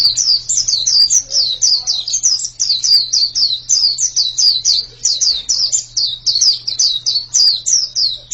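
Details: High, thin pleci chirps tumble in a rapid, steady stream, each note sliding downward, with a low electrical-sounding hum behind.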